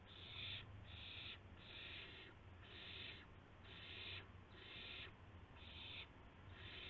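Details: Owl nest at dawn, March 26 2016, 5:50 to 5:51 AM, with a gopher and a mouse as prey. Eight or so rasping hisses at an uneven pace, each under a second, over low background hum.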